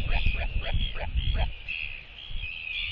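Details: Northern royal albatross pair greeting each other at the nest with skycalls, reaffirming their bond; a series of five short descending harsh notes over the first second and a half, then softer drawn-out tones, with low rumbling wind throughout.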